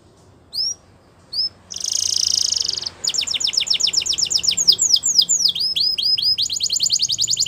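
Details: Canary giving two isolated whistled notes, a harsh buzzy burst, then a fast run of repeated down-slurred chirps at high pitch, over faint background hiss.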